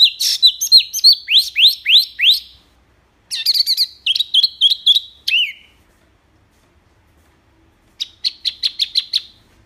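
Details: Loud, clear wambi singing in a varied master recording for tutoring cage birds: bursts of quick rising and falling high notes separated by pauses, ending with a fast repeated trill-like series.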